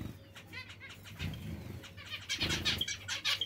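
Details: Short nasal zebra finch calls in a quick sequence, becoming a denser chattering burst in the second half, with soft fluttering and a low hum.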